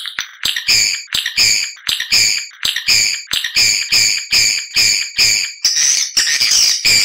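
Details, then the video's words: Swiftlet lure call, meant to attract males and females to nest in a prepared building: bright, buzzy chirps repeated roughly every half second in a steady run, layered high twittering, no other sounds. "Suara Panggilan Walet Terbaik Jernih Super Gacor"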